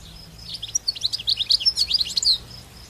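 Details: European goldfinch, wild, singing in natural open country: a dense run of quick, bright, tinkling chirps and trills for roughly two seconds, building then tapering, with soft background hum.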